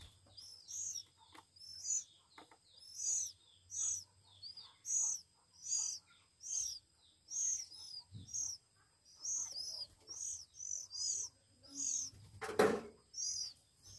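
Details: Hand-fed Oriental magpie-robin nestlings, one week old, chirp in a rapid steady series of high squeaky notes, roughly one every second, with a sharp click near the end and faint background hum.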